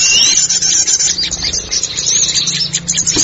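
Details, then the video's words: Small forest birds chirping, used to lure birds in: a dense, continuous stream of high, sharp twittering notes from several birds. A faint low hum runs underneath. "SUARA KICAU PIKAT BURUNG KECIL HUTAN"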